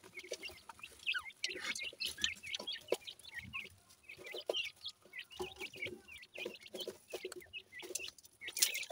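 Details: A brood of grey francolin chicks from Punjab cheeps continuously, with busy high twittering notes crowding together in uneven bursts.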